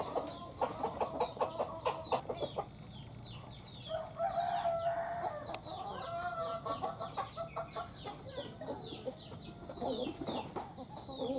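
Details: Broiler rooster, one of two broiler males kept as breeders in a nearby hamlet, gives a drawn-out hoarse crow midway, surrounded by many rapid clucks and chatter from other chickens.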